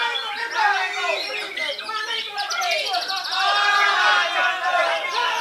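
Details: White-rumped shama from Belitung Island, Indonesia, still singing at its best: a dense, fast stream of varied whistles, trills and buzzy notes over constant human chatter.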